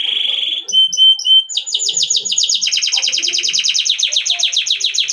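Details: Canary singing: a sustained whistled note, then three short pure whistles, followed by long fast trills of rapidly repeated buzzy syllables that shift into a new trill partway through.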